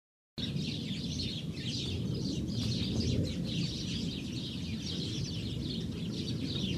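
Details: House sparrows at Moshav Kmehin in the Negev, Israel; a dense, continuous chatter of short overlapping chirps from several birds, steady throughout, with a low background hum.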